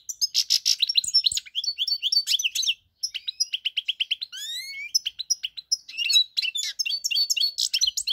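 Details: European goldfinch on 4 March 2022 giving a long, nearly continuous stream of bright twittering and buzzy chirps, interrupted once by a brief silence, with a few upward-slurred whistles midway.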